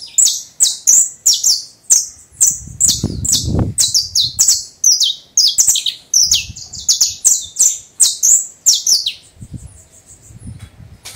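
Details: Domestic canary, a bred cage bird, in full song: rapid continuous rolls of high, sharply falling whistled notes repeated in bursts for over ten seconds, with low background rumbles.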